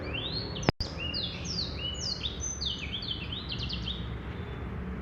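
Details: Male black-throated canary in full song, tumbling high slurred whistles ending in a fast trill-like flurry; a sharp click and brief dropout interrupt near the start, over steady background hiss.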